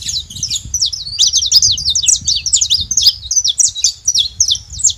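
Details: Saffron finch chattering in a dense, unbroken string of sharp, high, twisting chirps lasting the whole five seconds.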